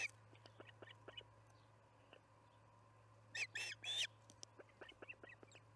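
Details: Osprey at the Charlo nest during evening feeding, July 9, 2019, 6 pm MDT: scattered faint chirps, then a loud cluster of three or four high, harsh whistled notes near the middle, over a steady low electrical hum.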